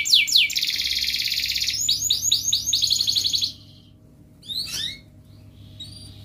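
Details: Canary song meant to stir lazy canaries: dense high trill and repeated sweeping notes for about three seconds, then quiet with a couple of short chirps.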